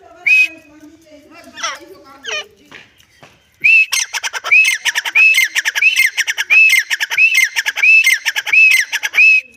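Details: Grey francolin (teetar, Dakhni type) calling: after a few scattered notes, a loud steady run of short rising-then-falling whistles, each with harsh clicking notes between them, roughly one and a half per second for about six seconds.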